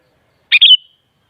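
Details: Kutilang (sooty-headed bulbul) voice intended to prompt a response: one compact phrase, a staccato opening then a bright wavering warble trailing into a thin fading whistle, no other sounds.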